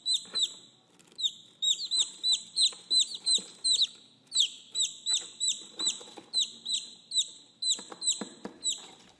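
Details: Chicks calling for their mother: a steady stream of loud, high, downslurred peeps, about three per second and often overlapping, with faint rustling beneath.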